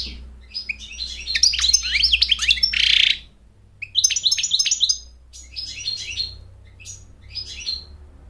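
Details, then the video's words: Bursts of fast chirping and a harsh buzzy note from an American goldfinch singing to court and to train young singers, separated by short pauses, with a faint low hum. "Goldfinch sings to mate Goldfinch sings to train chicks to sing"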